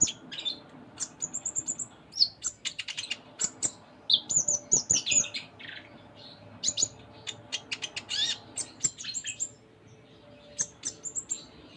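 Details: Long 'gacor full isian' song of the konin sunbird: varied high twittering, sharp chirps, thin whistled notes and rapid trills delivered almost continuously, with brief pauses.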